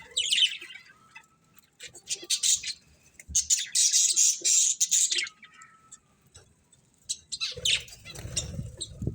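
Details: Budgerigars chirp and squawk in grating, high bursts, with a faint steady whistle underneath; low rustling enters near the end.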